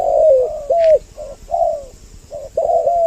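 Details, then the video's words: Spotted dove lure recording, described as a double voice to draw males and females close: mellow, hollow coos in short phrases, some slurred and slightly falling, with brief pauses between them. The recording is loud and clean. "Suara Pikat burung Tekukur Mp3 Doble Suara Paling Ampuh jantan betina Mendekat"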